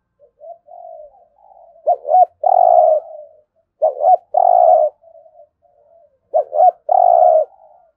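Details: Spotted dove's 'thúc gù' coo played to train decoy birds each day: three evenly spaced phrases of two quick bouncing notes and a sustained buzzy coo, with faint soft notes filling the gaps.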